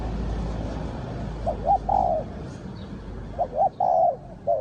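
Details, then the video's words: Spotted dove, calling as a lure for wild doves, gives two short phrases of rising then drawn-out coos against a noisy, hissing background. "นกเขาใหญ่สายต่อดิน,The Sound Of the dove"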